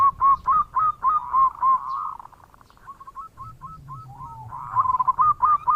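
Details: Active local zebra dove giving bekur coos as a lure for other birds: strong rhythmic coo notes about four a second, a softer stuttering middle section with a low hum, then loud coos return.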